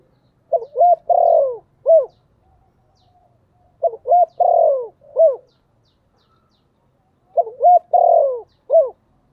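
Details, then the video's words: Decoy spotted dove calling in the 'thổ' style to lure wild doves, repeating its phrase three times about three and a half seconds apart: short rising notes, a drawn-out falling coo and a final clipped hoot. "Tiếng chim cu gáy mồi gáy gọi giọng rất hạp bổi"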